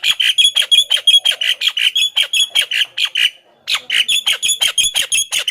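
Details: Javan myna song used as a lure to attract wild mynas, a fast run of harsh, squawky chattering notes repeated about three per second, with a brief pause midway before the chatter resumes.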